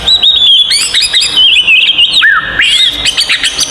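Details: Oriental magpie-robin fighting song, aimed at provoking other magpie-robins: clear wavering whistles, quick chirps and a low slurred dip midway, then a burst of high rapid twittering.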